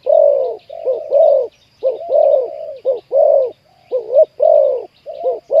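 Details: Low cooing of a spotted dove during trapping of a wild bird with a deep 'khu ang' voice. Long, mellow hoots alternate with brief, clipped notes in a broken rhythm, with faint twittering of small birds behind.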